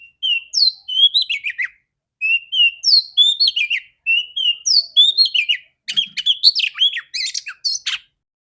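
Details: Female Oriental magpie-robin (kacer), a loud, clear voice played to make male magpie-robins sing. Fast chattering phrases of clear whistles and descending slurs, with short pauses, ending in dense buzzy notes.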